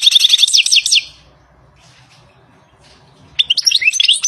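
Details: Wild European goldfinch: a burst of rapid, high, bell-like twitters for about a second, a pause of over two seconds with soft background noise, then another twittering phrase.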